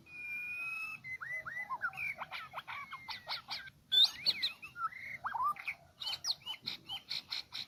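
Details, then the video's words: Lure song of a Medan white-rumped shama for trapping: a rich, fast mix of pure whistles, rising and falling slurs and dry clicking notes, delivered almost without pause. "Pikat jebak jontrot murai medan lepasan"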